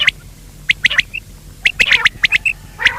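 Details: Quail calls, male and female, giving short sharp notes with clear whistled pips between them, in quick uneven clusters over three seconds.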